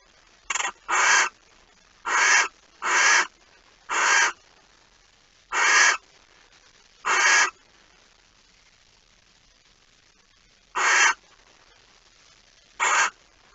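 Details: Barn owl at the nest, dawn on 26 August 2019, as a mouse is brought in: brief rasping hisses in irregular clusters, then sparser single bursts after a long quiet gap.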